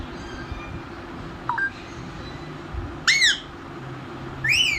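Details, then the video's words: Pet talking parrot giving a faint short note, then two loud, arching harmonic squawks about a second and a half apart, in a small indoor space with low hum. "Talking parrot"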